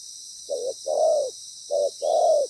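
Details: Spotted dove calling during trapping, a loud-voiced wild bird in moult: two phrases of a short coo followed by a longer, fuller coo, over a steady high insect drone.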